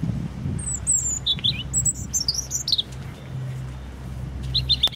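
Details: A European robin sings in Hope Park, Keswick, Cumbria, giving a rippling string of very high, sliding, liquid notes that dip to lower pitches, a brief quiet spell, then a short closing flourish over a soft low hum.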